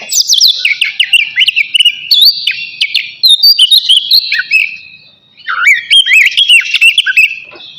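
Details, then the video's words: Navy-type oriental magpie-robin in full song ahead of bathing, pouring out a dense stream of quick whistled notes, trills and down-slurred chirps with hardly a gap, one short lull near the five-second mark. "KACER NAVY GACOR SIAP MANDI"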